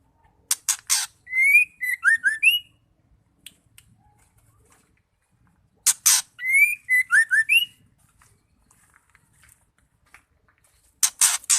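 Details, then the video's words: Female white-rumped shama calling to stir males into song: a phrase of harsh broad-band rasps followed by a rising whistle and several short slurred whistled notes, repeated twice about five seconds apart with silence between. "Murai betina gacor bikin murai stres nglowo LANGSUNG nyaut bunyi"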